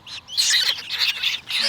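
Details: Hungry young parrot chick at sunrise feeding: a short, breathy, chirring screech that rises and wavers.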